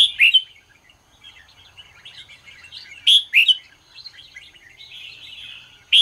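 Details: Morning singing of a red-whiskered bulbul used to train birds: three bursts of loud, bright whistled notes at the start, middle and end, with a steady low chatter of chirps between.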